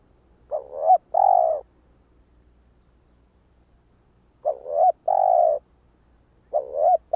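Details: Decoy spotted dove cooing to lure and stir up wild doves: three low hoarse phrases, each a short clipped note followed by a longer drawn-out coo, separated by several seconds of quiet.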